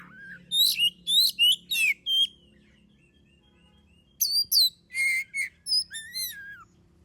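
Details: Oriental magpie-robin song meant to provoke other birds into singing: a burst of five rasping notes, a quiet gap, then a varied phrase of sharp chips and clear sweeping whistles.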